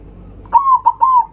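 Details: Zebra dove in loud song to stir up rival birds, three trilling coos run together, first and last drawn out, middle one brief, steady pitch throughout.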